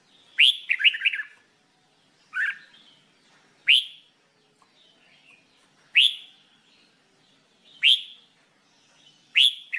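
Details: Red-whiskered bulbul in singing training. It opens with a fast warbled phrase, then gives a series of short, sharply upslurred whistled notes roughly every one and a half to two seconds. No other sounds.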